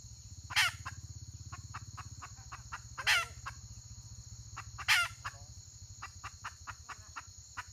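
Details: Wild red junglefowl hen recorded 31 May 2023: three loud, harsh, broadband squawks about two seconds apart, each followed by soft clicking clucks, over a steady high insect drone and a low hum.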